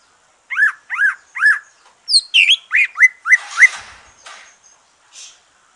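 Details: Green leafbird singing after its moult, song used to stimulate other birds: three clear rising-then-falling whistled notes at an even pace, followed by a quicker run of varied chirps and slurred whistles that fade out.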